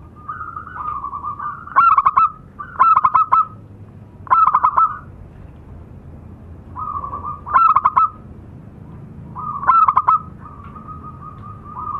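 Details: Zebra doves of a local strain, male and female, singing: about six stuttering coo phrases spread over twelve seconds, each a quick clattering cluster followed by a held trembling tone, above low hum.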